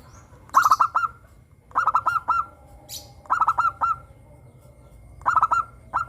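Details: Morning song of a local zebra dove among a lively group: clipped, stuttering coos rolled into short phrases, four bursts with gaps of about a second, fainter cooing notes between them.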